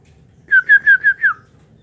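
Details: Captive white-rumped shama in an aviary giving five rich, slurred whistles in quick, steady succession. The last note dips lower. Otherwise near silence.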